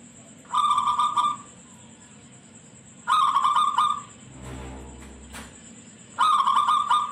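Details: Shrill-voiced local zebra dove, used as a lure recording to make other zebra doves reply and sing regularly. Three fast staccato cooing phrases, each about a second long and a few seconds apart. A brief low rumble comes midway under a constant high whine.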